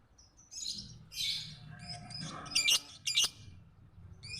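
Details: Lovebird singing on a recording used to train other birds: squeaky, scratchy chirps and short shrill notes tumbling irregularly, with two sharper accented squeaks near the end over a low background rumble.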